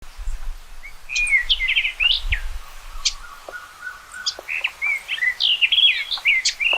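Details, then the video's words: Common rock thrush song: varied fluty, whistled notes and quick slurred phrases, mostly high and rising or falling, with a thin steady lower tone beneath and soft low rumbles early on. "Canto do Tordo Das Rochas Comum ou Tordo de Rabo Ruivo"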